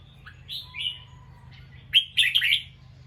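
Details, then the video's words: Bulbul listening and then turning alert: a couple of soft slurred whistles, then a loud burst of harsh, scratchy notes, over a low steady background hum. "The sound of a bulbul Listened and then definitely alert."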